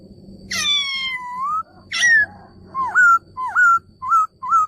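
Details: Male laughingthrush giving a long, rich harmonic call that rises at the end, then shorter calls and dipping, looped whistles, over a low rumbling background.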